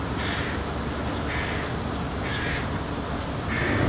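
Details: A hooded crow fledgling vocalizes while following its parent, which walks away with a piece of food; four rasping caws about one second apart, set against a continuous low rumble.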